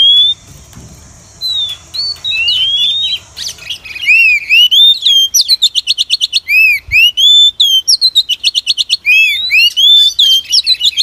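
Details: Female Oriental magpie-robin calls used as a lure for trapping wild birds: a few sweet whistled notes at first, then a dense run of sharp chirps and upslurred whistles, rapid and unevenly spaced.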